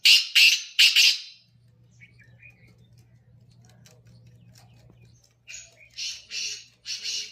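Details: Black francolin calling in two bouts of three harsh, raspy bursts, separated by a few seconds of near-quiet with a faint low hum.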